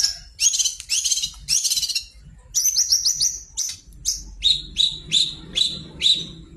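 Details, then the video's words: Shrike singing energetically as a lure to get other kept birds to sing: harsh buzzy bursts followed by rapid chattering notes, then a series of clear sharp whistled chips repeated about every half second, quiet background. "pancingan burung pentet gacor"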